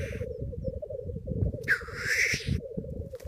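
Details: Lekking black grouse in the Cairngorms, 28 April 2014, nine displaying males and six visiting greyhens, captured by iPhone in a pop-up hide: unbroken low bubbling chorus overlaid midway by a loud drawn-out hissing whoosh.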